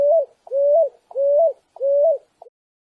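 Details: Picui ground dove singing, an original unaltered recording: four drawn-out low coos, each swelling and lifting slightly at the end, spaced about two-thirds of a second apart, followed by a short clipped note; quiet background.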